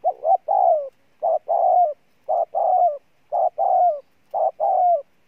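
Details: Spotted dove, a newly caught wild bird, cooing hard: low hollow two-part coos, a short note then a longer falling one, about one phrase per second, repeated five times over a silent background.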